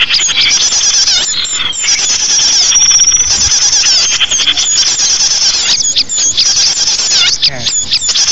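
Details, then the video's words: Many small birds sing at once in a continuous, loud twittering mix of chirps, trills and whistled slides, used as a lure for small birds. "SUARA BURUNG UNTUK PIKAT BURUNG KECIL"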